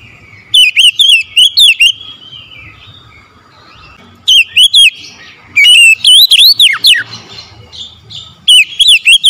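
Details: Oriental magpie-robin morning song: several groups of fast, ringing whistles, some swooping down sharply, separated by short pauses, with a faint continuous hum behind.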